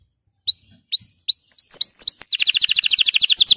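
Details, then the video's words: Canary song, recorded to encourage other canaries to sing: a few separate rising slurred whistles, then a rapid, even trill of short buzzy notes rolling on to the end. "canari chant ساعة لتحفيز الكنار على الغناء"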